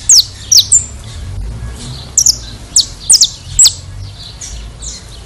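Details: Saffron finch from Brazil singing sharp, high descending chips in short bursts, some doubled, separated by brief pauses, over a faint low hum.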